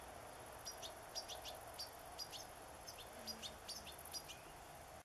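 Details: Begging call of a young European goldfinch being fed sunflower seeds, 27 August 2014; sharp, high chirps in loose pairs and short clusters, softer and more spaced, over a steady hum.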